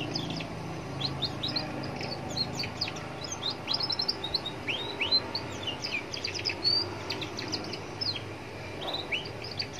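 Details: Young Atlantic canary singing continuously beside a road to provoke other canaries to answer. It is a lively, dense stream of rapid high chirps, clicks and sliding whistles, with low traffic noise underneath.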